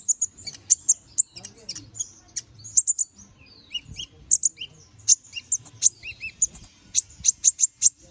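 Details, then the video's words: Canary singing 'gacor ngobra', used to train magpie robins: crisp high-pitched chirps repeated in rapid runs, with short doubled notes and brief pauses, the phrases growing quicker and denser toward the end. "Suara BURUNG KENARI GACOR NGOBRA! Cocok untuk masteran"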